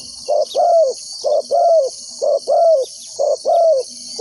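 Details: Spotted dove decoy cooing to draw wild doves into a trap: evenly spaced pairs of deep soft notes, a short coo then a longer slightly falling one, roughly once a second, over buzzing insects.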